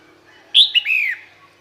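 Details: Calling female red-whiskered bulbul, luring males: one ringing phrase of a high sharp note followed by a brief chirp and a descending whistled slide, lasting about half a second, in a quiet setting.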